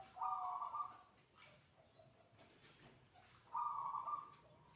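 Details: Zebra dove (perkutut) giving its unusual 'adzan' song just before the midday call to prayer: two short, bright, warbling coo phrases about three seconds apart, with quiet background between them.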